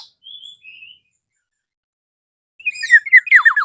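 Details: A lively black-naped oriole calling out to a rival. A pair of clear, level whistled notes comes first, then after two seconds of quiet a burst of loud, raspy, descending slurred notes.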